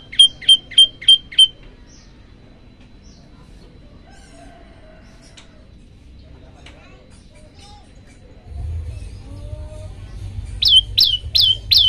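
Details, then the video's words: Olive-backed tailorbird tutor song for setting other birds off: five bright, evenly spaced notes, a long near-silent pause with faint chips, then a low rumble and four louder notes at the end. "masteran prenjak lumut bikin semua burung ikut bunyi"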